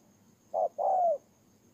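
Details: Spotted dove kept as a ground decoy bird in Tumorong, Kon Tum, Vietnam, recorded 23 September 2018, giving a single two-part coo: a short note, then a longer drawn-out falling note, with faint background hiss.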